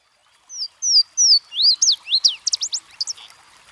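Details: Louisiana waterthrush song near a brook: three clear, high, down-slurred whistles that open the phrase, followed by a rapid, tumbling cascade of twisting chips and swoops that fades out. The background is quiet.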